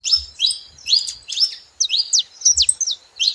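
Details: Saffron finches together making noise: a busy jumble of high, sharp chirps and quick downslurred notes overlapping one another, with soft low thumps underneath.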